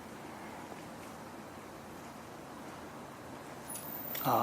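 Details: Steady low outdoor rumble like distant traffic, ending in a brief louder broadband noise burst.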